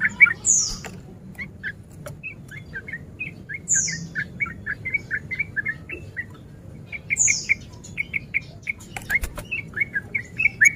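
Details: Male sooty-headed bulbul in breeding condition, used as a lure to provoke rival males into fighting; rapid chattering song of short gurgling notes repeated quickly, broken every few seconds by a sharp, high squeaky note, with faint background hiss.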